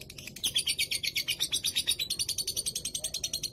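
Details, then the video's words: Pet lovebird from Rembang, Indonesia, in its extended ngekek song, so long it is likened to an mp3: rapid, evenly pulsed, shrill rasping chirps running without a break. "DURASI MENGGILA EFEK CORONA LOVEBIRD"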